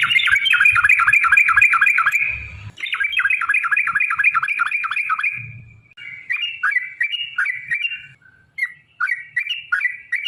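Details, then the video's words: Sooty-headed bulbul in long rapid song, used to coax other bulbuls to sing: a fast rattling series of downward-sweeping whistles for about five seconds, then spaced, quicker whistled phrases after a pause. "trucukan gacor TARUNG ROPEL PANJANG"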